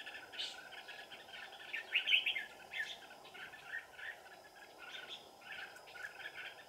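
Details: Red-whiskered bulbuls singing at a mountain trapping site on a cold December afternoon in 2018. Softer, scattered chirpy phrases run throughout, with one louder burst near the middle, over constant low hiss.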